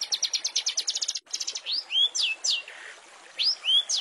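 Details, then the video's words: Long-tailed shrike master song for training caged songbirds, rich fill material: a fast run of about ten sharp high chirps, a brief gap, then loud whistled slurs sweeping up and down, some repeated. "Masteran Cendet full isian mewah untuk murai dan burung kecil lainnya"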